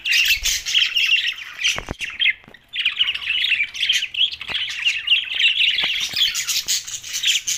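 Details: Budgerigars called lonely, Larkana, Sindh, June 7, 2024, keeping up a steady stream of buzzy, twittering warble. A brief break falls near the second mark, then the scratchy chatter runs on unbroken, with a few sharp clicks.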